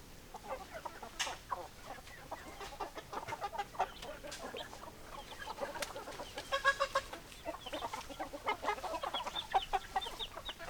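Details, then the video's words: Hens clucking steadily, a continuous chatter of short notes from several birds that swells in the middle with a rapid run of clear, ringing calls, then stays busy to the end. "Chicken Sounds Noises Hens Clucking Roosters Crowing"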